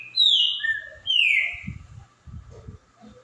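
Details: Green-winged saltator singing two strong descending whistled notes with a short lower note between, followed by low thumping and handling noises.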